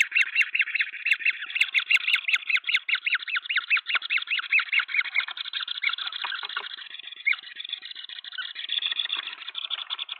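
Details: Green wood hoopoes at a nest with three chicks in Pretoria, South Africa, on 23 February 2024, the flock helping raise them, give a fast harsh cackling chatter of rapid rasping notes, loud at first, then a looser run of squeaky calls.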